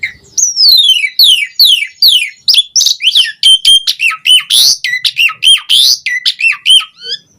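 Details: Asian pied starling gacor song: a run of falling slurred whistles repeated about every half second, then loud harsh squawks alternating with bent whistled notes in a steady rhythm.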